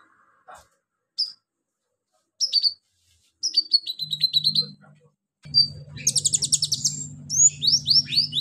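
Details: Female pygmy cupwing (konin) calling a male: scattered short high chirps build into rapid stuttering falling runs, then dense high twittering and upslurred whistles, over a steady low electrical hum.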